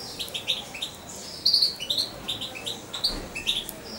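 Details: Nearly two-month-old European goldfinch, syringe-fed as a chick and kept near its owner, chatters in lively high twittering chirps, several per second, in clean quiet surroundings.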